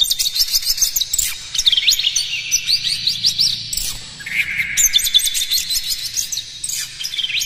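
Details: White-rumped shama song as a lure to stir up other birds: rapid chattering stream of quick chirps, upward flicks and whistled slurs, high and dense throughout, with a short buzzy sustained phrase in the middle.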